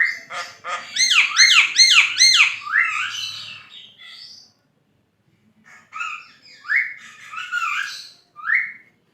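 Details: Javan myna in energetic song for tutoring songbirds: a quick series of about five repeated buzzy, arching notes, then a brief silence and several harsh rising whistles.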